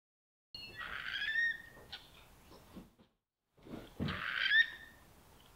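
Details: Eurasian curlew (Numenius arquata) at Rainham Marshes, South Essex, giving two bursts of ringing, rising whistled calls about three seconds apart as it takes off after calling from rest, with faint rustling between.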